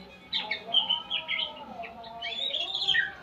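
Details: White-rumped shama learning new sounds: a short sequence of clear high whistles and thin chirps, ending in a longer warbled run, above a quiet low hum.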